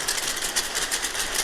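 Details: Oilbirds streaming into their cave at night fill it with dense, rapid, overlapping echolocation clicks like many typewriters, with occasional screeches when birds get too close; the stream lasted about 45 minutes.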